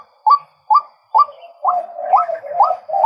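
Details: Male White-breasted waterhen calling: a series of short, sharply rising nasal notes repeated about twice a second over a lower, wavering droning tone that grows steadier toward the end.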